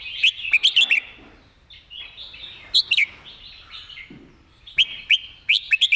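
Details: Red-whiskered bulbul delivering a clearly worded master song: rapid strings of loud, crisp whistled notes between mellow, warbling connecting phrases, repeated several times in six seconds.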